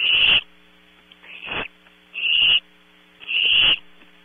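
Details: Barn owl owlets at night at Audubon Starr Ranch, California, filmed close-up by a PTZ camera: four harsh, breathy hissing bursts in about four seconds, each roughly half a second long, over a steady electrical hum.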